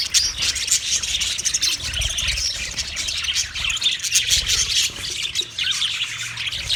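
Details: Budgerigars recorded 29 February 2024 keep up a steady high warbling chatter, with scratchy chirps and tweets layered over one another and a faint low rumble beneath.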